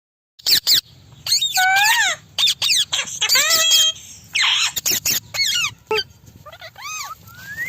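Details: Pet talking Indian parrot gives a rapid run of shrill squawks and squeaky, swooping whistles, some rising and some falling, with a few kissing sounds mixed in.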